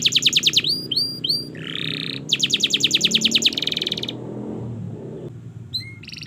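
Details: Canary training song: rapid high trills and repeated rising whistles, a brief buzzy rasping note, then more fast rolls and a short rattling trill, ending in scattered sharp chirps against low background hum.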